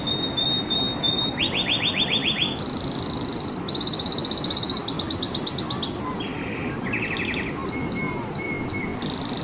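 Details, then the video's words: Canary song made of changing tours of rapid repeated notes: high rolls, a dense buzzy trill, sweeping repeated syllables and a lower chattering roll, with short bright notes near the end, all against constant background hiss. "تغريدة طائر الكناري"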